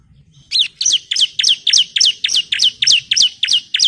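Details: A female Bar-winged Prinia calls to the male, a lure to provoke singing. After a brief low murmur, about twelve high, piercing chirps follow at an even, rapid pace, each a sharp downward slur.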